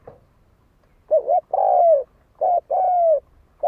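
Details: Spotted dove cooing as a lure to provoke fighting: a short wavering note, then a longer smooth coo sliding gently downward, the pair given twice with a clipped start of another at the end, in a quiet setting.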